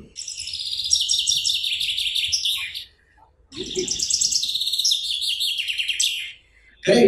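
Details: Common Chaffinch, male, sings two full songs, each a bright, rattling cascade of notes that speeds up and falls before ending in a flourish; the song marks the male's identity. A brief voice is heard.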